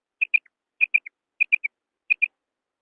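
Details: Female quail call used as a lure for hunting in wheat fields: clean, high paired notes in short groups of two or three, each group repeated about every 0.6 seconds.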